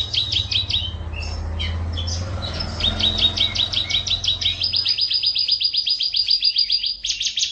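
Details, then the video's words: A contest-winning canary in a cage sings choppy high trills and chirps over a low background rumble, then settles into a long, even, fast trill that climbs slightly higher near the end. "kicauan kenari master juara kontes"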